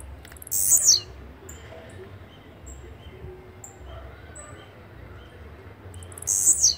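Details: Blue-black grassquit (chirrio) song: two short, sharp, buzzy high notes sliding downward, about six seconds apart, with faint thin high ticks between them and a low background rumble.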